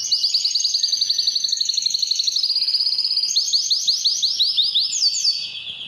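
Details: A domestic canary, identified as a Spanish Timbrado in a training song, sings continuous high, rapid trills and rolling metallic tours, shifting between phrases every second or two, with no other sounds.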